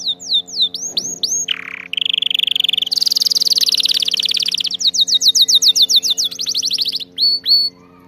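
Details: Canary training song with loud rising whistled chirps, a low slurred note, then extended rapid trills and pulsed rolls repeated several times a second, closing with crisp upsweeps; faint low hum.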